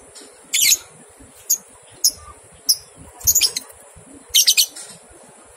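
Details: Lovebird ngekek chatter from a training recording for two-month-old fledglings: irregular scratchy bursts, some doubled or tripled in quick succession, separated by short pauses over a constant high-pitched hiss.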